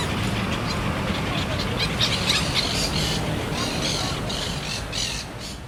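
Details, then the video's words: City parrots giving a rapid series of rough, noisy squawks, clustered unevenly, set against continuous low traffic rumble and general street ambience. "Parrots in the city, ambience/ Papageien in der Stadt/ Papugi w mieście"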